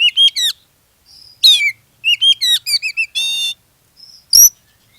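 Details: Oriental magpie-robin performing a lure song to set off other magpie-robins: quick whistled and slurred notes in rapid runs, a harsh rasp, a buzzy rattling trill, then a sharp high note.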